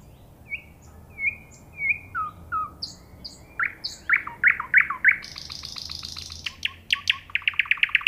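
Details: Nightingale phrases: soft whistled notes at steady spacing, then louder downslurred strokes repeated quickly, a burst of high buzzy sound, and a closing series of fast, sharp, evenly repeated notes.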